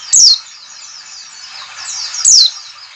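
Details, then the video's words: White-eye calling used as a lure to make the birds sing: a loud, shrill downslurred note at the start and another near the end, with steady high twittering between them. "CALL CALL NGALAS cepat memancing PLECI BUKA PARUH."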